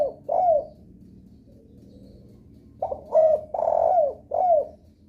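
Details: Lure call of a spotted dove for drawing answers from other doves; a brief falling coo, a pause, then a full phrase of two short coos, a long drawn coo and a falling final note.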